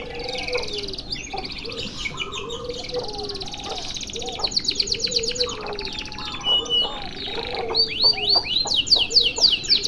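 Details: Canary in a long one-breath masteran song: dense high trills and rolled phrases, with lower, softer whistled notes repeating underneath throughout, and the singing growing louder and sharper toward the end.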